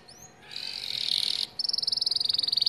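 A canary sings a high, buzzy rolling trill for a second, then a fast run of bright repeated notes, about ten per second.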